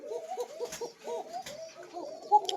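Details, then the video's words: Koka pigeon kept on a farm, a breeding pair laying eggs and raising young, known for a thin, fine voice: soft repeated cooing notes rising and falling, with a speaking voice nearby indoors. "চিকন ডাকের কোকা কবুতর"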